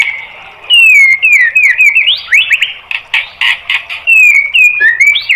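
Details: Caged-bird training song of the white-rumped shama: long sliding whistles falling and rising, then a series of loud harsh buzzy notes, ending with more looping whistled slurs.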